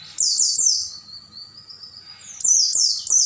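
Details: Oriental white-eye night song for training caged birds: quick high chirps lead into a long, thin, sustained whistle slowly falling in pitch, followed by another burst of fast descending chirps.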